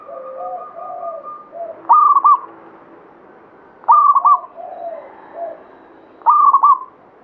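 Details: Local zebra dove of Banyumili katuranggan type sings three loud, evenly pitched stuttering coo phrases about two seconds apart, each ending in a drawn note, against a backdrop of quieter overlapping cooing from other doves.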